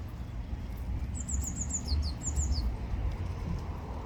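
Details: Singing blue tit: a short run of very high, thin, quickly repeated notes, each phrase dropping to a slightly lower note, given twice in quick succession against a background of low rumbling noise.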